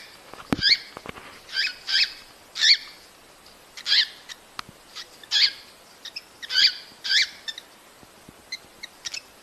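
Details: Calls of cockatiels intended to prompt pairing and breeding: a steady series of raspy, overtone-rich chirps roughly every half second to second, mixed with sharp clicks and small taps.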